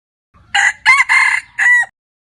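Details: Domestic rooster giving a full crow: a brief first syllable, then two sustained harsh, ringing notes and a closing note that bends downward, heard cleanly against near silence.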